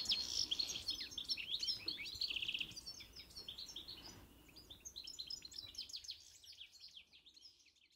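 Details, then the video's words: European goldfinch song: fast, tinkling twitters mixed with short buzzy trills in a dense, lively stream. It is loudest in the first few seconds, then grows softer and thinner toward the end. "O canto do Pintassilgo (Carduelis carduelis)"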